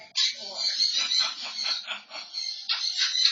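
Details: Pet African grey parrot indoors, caught on a security camera, mimicking a man's laugh. The sound comes as a rapid chain of husky, rhythmic pulses, several per second, over about three seconds, with a constant high electronic whine underneath.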